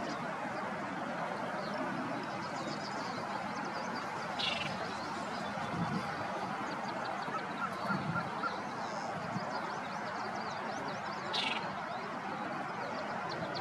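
A pied-billed grebe gives loud, honking, hollow notes over a dense, steady background hiss, with a couple of brief high chips from another bird.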